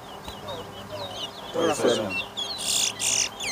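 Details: Towa towa, the chestnut-bellied seed finch, competing in a singing race at Lamaha Street, Georgetown, Guyana, in 2023; quick high whistled phrases and short slurred notes, with loud chatter of onlookers and brief bursts of noise.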